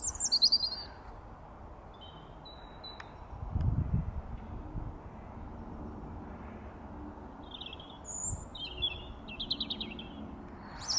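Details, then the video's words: European robins singing around Wargrave: high, thin, twinkling phrases, one at the start and a varied run near the end, over a steady low rumble. "Robin Song"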